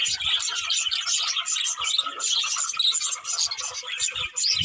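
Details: Budgies keep up lively chatter, quick squeaky chirps and gurgling warbles that rise and fall in short bursts, with faint low taps in the background.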